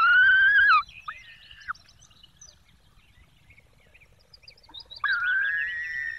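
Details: Calls at a Peregrine falcon nest in the Barycz Valley, Poland, 5 May 2022, as the female feeds chicks with prey brought by the male: a clear wailing note at the start, near-quiet faint chatter, then another long wail.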